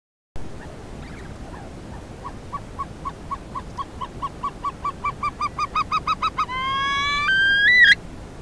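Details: Himalayan snowcock song, caught by a camera trap in August 2016 on a ridge at about 3100 m in Sarychat-Ertash reserve, Kyrgyzstan: short notes that quicken and climb slightly, ending in long, loud, drawn-out whistles stepping upward.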